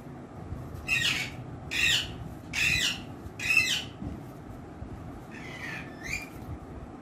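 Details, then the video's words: Pet rose-ringed parakeet, a ringneck kept as a talking parrot said to speak Urdu and Hindi, gives four loud harsh squawks about a second apart, then softer rising chattering calls over quiet indoor background noise. "Ringneck Talking Parrot"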